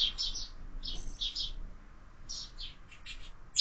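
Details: Clusters of quick, high twittering chirps from sparrows and their fledglings at a year-round window feeder, coming in short bursts separated by brief pauses.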